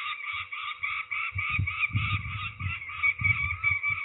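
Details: During ringing in Trzebież, Poland, 13 May 2019, peregrine falcons give a near-continuous string of scratchy, nasal calls, with muffled knocks and rustling underneath.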